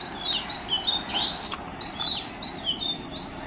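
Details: Song of an Oriental magpie-robin recorded at Mormugao Harbour in Vasco da Gama: quick sequences of sweet whistled notes, rising and dipping, nearly continuous, over a faint low hum with one sharp tap midway.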